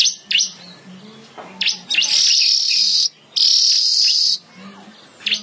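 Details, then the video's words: Weaver in energetic gacor song: scattered sharp chips alternate with two long, loud sizzling buzzes of about one second each, separated by short pauses. "Burung Manyar gacor"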